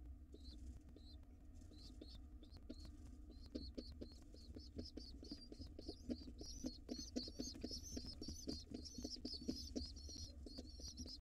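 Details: Young wild pigeons in a nest box receive a late meal before dark, their thin high peeps starting sparse then building into continuous wavering squeals, with frequent tapping, rustling and a low background hum.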